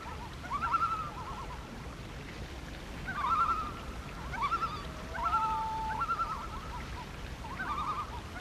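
Loon calls: quavering, laughing tremolo bursts repeated every few seconds, with a long, level, hollow wail drawn out in between.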